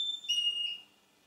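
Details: Male Russian canary giving a short, pure whistled note that holds steady, then brightens into a higher overtone before fading out after under a second.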